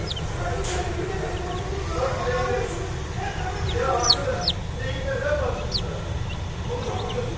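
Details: Chicken chicks cheeping, with sharp high peeps that drop quickly in pitch, scattered irregularly through the recording, above lower murmuring sounds and a constant deep background rumble.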